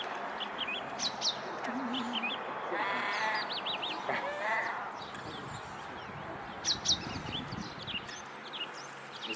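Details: A spooked Australasian crested grebe (pūteketeke) on Lake Wānaka, South Island, New Zealand gives a couple of harsh, rasping squawks with a nasal, wavering edge; people talk nearby and thin chirps sound in the background.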